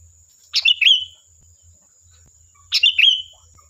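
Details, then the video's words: Sooty-headed bulbul song used as a lure to provoke a reply: two short phrases, each a sharp chirp cluster ending in a bright whistled slur, about two seconds apart, over a steady faint high tone. "Suara Burung Kutilang Gacor, Pancingan Ampuh dijamin nyaut"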